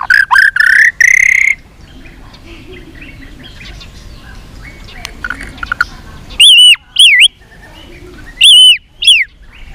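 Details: White-rumped shama's fighting song with tail flicking: loud rising whistled notes open the phrase, a long near-silent stretch of soft twitters follows, then strong arched whistles return.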